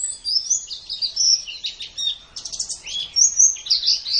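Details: White-eye song used as a training recording for caged birds, best played in the morning or evening: rapid, high twittering warbles with sliding whistled notes, continuous with short gaps.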